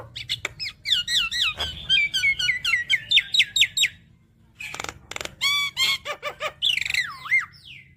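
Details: Javan myna in full varied song: a fast series of clear rising and falling whistled notes repeated in quick succession, sharp clicks, then looping warbled whistles after a short pause.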